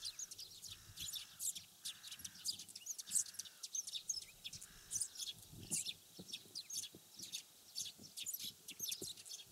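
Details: A group of wild Eurasian tree sparrows from rural Japan gives scattered sharp high chirps in loose runs, alongside a soft low droning tone repeated several times early on.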